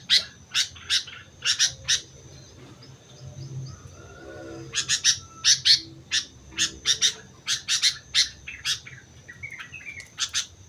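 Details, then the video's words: Sooty-headed bulbul from Mount Slamet, singing energetically: short, sharp, high chirped notes in bursts and clusters, with brief gaps between groups, over quiet low background rumble. "suara burung kutilang gacor gunung slamet"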